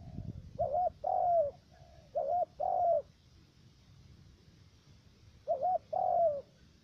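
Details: Decoy spotted dove for trapping, U Minh area, Cà Mau, Vietnam, with a three-note voice. Paired coos, a brief bent note then a drawn-out descending one, come three times with a long pause before the last pair.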